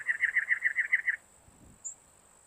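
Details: Harsh, scratchy chugging from a cactus wren: roughly eight rapid notes in just over a second, then near silence with a faint soft thump and a steady high hiss.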